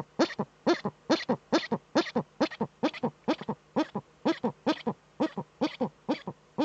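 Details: Eurasian eagle-owl female in a nest niche, recorded by a webcam in northern Rhineland-Palatinate, Germany, 5 May 2013, while scratching; quick rasping pulses repeat at a lively, slightly uneven beat, about two per second.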